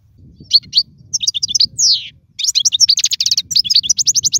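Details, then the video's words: European goldfinch, a caged songster prized in singing contests, used for teaching young birds to sing: rapid twittering song of bright high chirps and trills, with a drawn buzzy note midway and a fast run of repeated notes at the end. "افضل تغريد لتعليم الفراخ"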